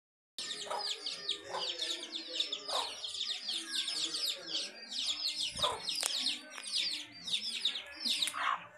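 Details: Domestic hen with her chicks: a dense chorus of high, thin, falling peeps from the chicks runs throughout, with a few lower, short hen clucks breaking in.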